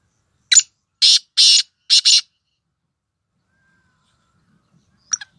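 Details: Female black francolin, locally called kali madi, calling in Sindh or Punjab, a sound meant to excite males: one sharp note, then four harsh, grating, buzzy notes, the last two paired, and a faint clipped note near the end.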